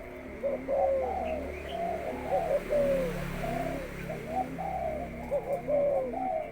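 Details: Spotted dove being conditioned before going into the breeding cage: repeated soft, mellow coos, each note bending downward, over a steady low hum.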